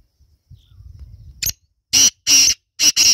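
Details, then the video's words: Female black francolin (kala teetar) calling in the jungle: faint low rustling, then a sharp note and four loud, harsh, grating bursts packed into about a second, each broad and rasping, the last two almost joined. "Kala Teetar making Beautiful voice in jungle"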